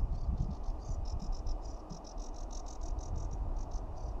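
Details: Sedge warbler in full song from a wild rose bush near the Dragonfly Pools, RSPB Rainham Marshes, on a dull cool day, 14 July 2017: a fast run of short, high chattering notes, about five a second, over low wind and traffic rumble.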